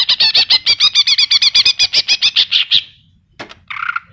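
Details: Greater green leafbird delivering a steady string of about twenty fast, bright chirps, part of a song filled with kapas tembak and cililin imitations, ending in a brief harsh buzzy note.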